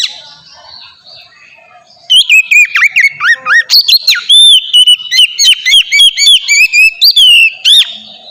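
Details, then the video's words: Oriental magpie-robin in ngeplong song style, a lure for untrained magpie-robins; two seconds of near quiet, then a dense burst of ringing whistles, rising and falling slurs and crisp clicks, about four notes per second. "suara burung kacer ngeplong merdu sangat ampuh buat pancingan kacer bahan bikin cepat gacor"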